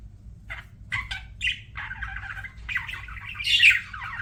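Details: Pet budgerigar chirping: a few separate short squeaks, then a scratchy warbling run ending in a louder shrill squawk, over a low steady hum.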